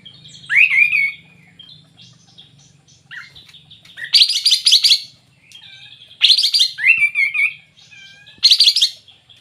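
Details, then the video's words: Sooty-headed bulbul singing energetically ('gacor'): loud rising slurred phrases and dense chirpy bursts repeated roughly every two seconds, separated by softer twittering. "Suara Burung Kapas tembak Super Gacor"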